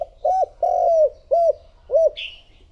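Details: Spotted dove calling as a lure for wild doves: four low, rounded coos, the second long and sliding, with a brief higher chirp from another bird at the end.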